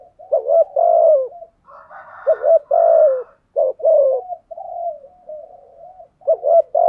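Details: Spotted dove cooing in the 'thúc gù' style said to agitate wild doves into answering: a run of deep, throaty coos, some rougher and hoarser, with a quieter drawn-out purr near the end and a clean background.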